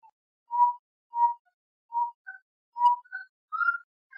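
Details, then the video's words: Saracura-três-potes (gray-necked wood rail) from Brazil giving pure whistled hoots at a steady pitch, spaced under a second apart, mixed with slightly higher rising notes toward the end. "saracura-três-potes ou sericoia"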